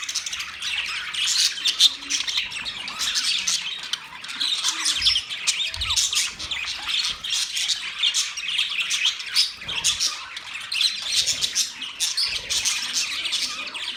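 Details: Caged pet budgies in a new cage setup chatter nonstop, mixing quick squeaky tweets, harsher squawky notes and warbling runs; the group sound rises and dips in small surges.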